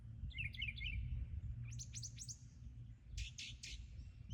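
A brown thrasher sings rich, varied phrases: a run of quick chirpy notes, then sharp downslurred notes, then a few harsher paired notes, over a low background rumble.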